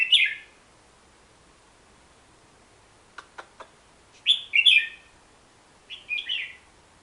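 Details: Hook-billed bulbul, a forest bird endemic to Borneo, giving short bubbly warbled phrases, the first at the start, more two to three phrases near the end, with a few sharp clicks between them and quiet background.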